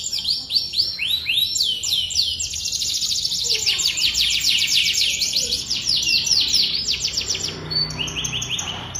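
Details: Canary singing a long, varied song in an elaborate style: rapid, high, tightly repeated downward-sweeping notes forming continuous rolling trills that shift in speed and pitch, ending with a few separate higher sweeps.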